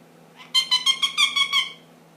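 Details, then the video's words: Ten-month-old pet ring-necked parakeet making funny noises and starting to whistle the Addams Family song; a harsh, buzzy burst of about seven rapid pulses lasting just over one second, in a quiet indoor room. "My funny noise ringneck"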